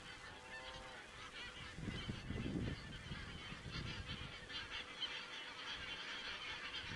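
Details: A goose flock heard on an Estonian crane webcam on 27 September 2017; constant layered honking from many birds, with louder low-pitched rumbles and bumps near the middle.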